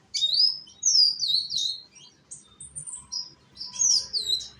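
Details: Young Indonesian sunbird (konin) sings to lure other birds into song: clear, high, slurred whistled notes swooping downward, in short phrases with brief pauses, over near-silent background.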